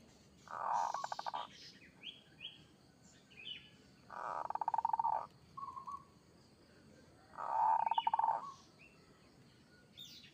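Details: Local zebra dove, kerot style song, three rolling, stuttered cooing phrases about three and a half seconds apart, with thin whistles and chirps of other birds between them.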